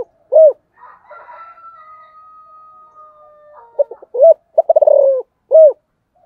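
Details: Spotted dove (cu gáy) gives a single arched coo. A long, steady whistled tone and faint chatter follow, then a full phrase of short notes, a rapid stutter, a falling drawn coo and a final arched coo.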